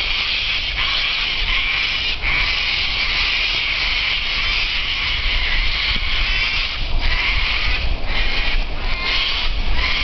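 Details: A flock of cockatoos beside a quiet back road in eastern Victoria, Australia, keeps up a harsh, grating chorus of overlapping screeches, loud and nonstop, over a low rumble of wind and movement from cycling.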